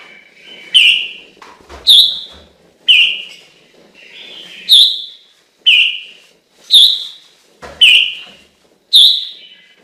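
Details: Repetitive whistled song of a Chinese hwamei: about eight loud, ringing phrases roughly one second apart, alternating a lower slurred whistle with a higher flicked note, in a quiet background.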